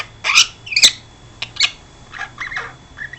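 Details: Young pet princess parrot, twelve weeks old, kept indoors, utters harsh, scratchy squawks followed by softer chattering, wavering notes, all high-pitched, with a steady low hum in the room.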